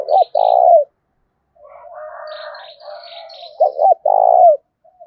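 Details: Spotted dove decoy with a 'thổ' voice style, cooing to provoke wild doves into fighting: two low phrases, each two quick clipped notes then a longer falling coo, with softer cooing from another dove between them.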